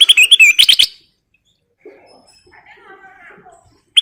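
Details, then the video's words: Lively sooty-headed bulbul song played as a lure: a quick run of sharp, bright chirps and twisting whistles lasting about a second, then quiet with faint background sounds before another burst begins. "Burung Kutilang Emas Gacor full isian/Pancingan Kutilang Gacor"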